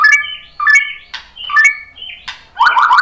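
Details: Murai batu lure song: three short phrases of stacked whistled notes, each ending in a sliding whistle, followed by a loud harsh burst.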